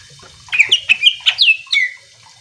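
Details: Greater green leafbird singing hard, meant to provoke other leafbirds into song: a quick run of six or seven bright, slurred whistled notes, ending on a longer falling whistle.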